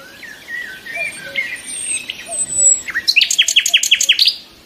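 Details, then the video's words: Nightingales in song: soft drawn-out whistles and a low piping note recur, then one bird breaks into a loud, rapid run of about a dozen sharp, identical repeated notes. "the sound of nightingales"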